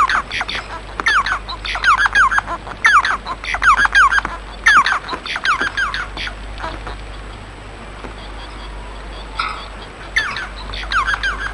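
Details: Bengalese finch song made of regular bursts of quick, slurred, falling notes about every second, fading into a quieter interval before the chattering phrases return.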